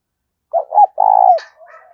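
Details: Lure spotted dove calling to draw in wild doves: a short wavering coo, then a long, slightly buzzy, level coo that drops at the end, followed by a sharp click and faint trailing notes.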